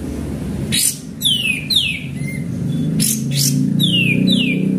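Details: Lure recording of a chatty sooty-headed bulbul: pairs of descending whistled notes and a short flat note, broken by loud noisy bursts, over a noticeable low droning background.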